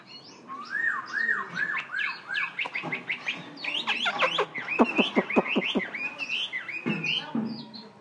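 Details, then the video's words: Tamed Black-throated laughingthrush pouring out a long varied song: repeated arching whistles rising and falling, then fast tumbling notes and abrupt clicks, with a lively, almost nonstop rhythm. "khướu bạc má thuần"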